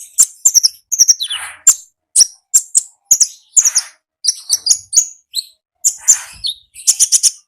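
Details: Konin heard in the wild, singing busily: a fast series of piercing, high chirps and short downward-slurred notes with a few soft, rasping bursts between phrases.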